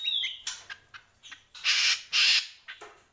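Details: Greater green leafbird: a falling whistle opens, followed by soft chips and two loud, harsh, drawn-out rasping notes.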